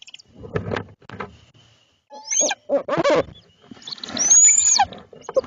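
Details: A barred owl pair converses at night in Lebanon, Connecticut, as the male delivers small mammals to his mate during one of six visits, with three owlets to feed. Soft rustles give way to harsh nasal barks and a long, high, screechy wail.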